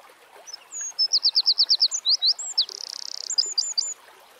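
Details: A wild Eurasian wren (Troglodytes troglodytes) sings one energetic phrase: high piercing notes repeated in quick succession, a fast rattling trill, then a handful of sharp chirps, in quiet countryside.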